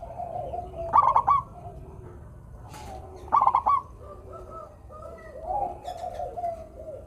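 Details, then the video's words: Singing local zebra dove used to coax reluctant doves into song: two clear stuttered coo phrases about two seconds apart, then softer warbling coos from other doves in the background. "perkutut lokal gacor suara merdu - bikin bunyi perkutut yang malas manggung."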